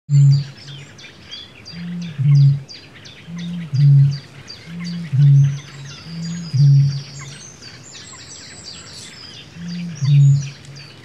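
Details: Eurasian bittern (Botaurus stellaris) booming: deep, hollow low notes repeated about every one and a half seconds, with faint high twittering of small birds behind.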